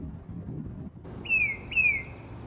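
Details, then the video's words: Wild tufted titmouse calling: two clear, high whistles, each sliding downward, about half a second apart, over a low rumbling background. "Tufted titmouse calling"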